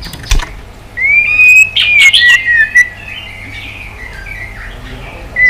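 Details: Shama fighting song, tail-flicking bird being provoked: one long, drawn-out whistled phrase that rises and then slowly falls, with soft broken notes after it and a quiet, steady background.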